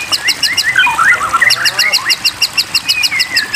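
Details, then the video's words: A captive white-rumped shama on a water-therapy recording meant to prompt singing gives rich, looping whistles that rise and fall, set against a fast, steady run of thin, high chips about three per second. "murai batu makin tambah gacor"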